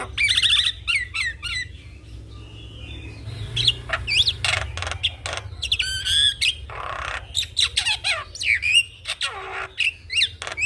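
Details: Javan myna singing vigorously while nodding its head, used as master song and lure for young mynas: harsh rasping bursts mixed with sharp whistled down-slurred notes, irregular and chattering, with a faint low hum behind.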